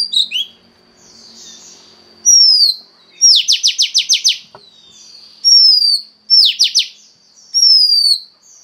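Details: Oriental magpie-robin female voice used to stimulate a male: descending whistles alternating with fast bursts of six to eight buzzy downslurred notes, repeated in similar phrases.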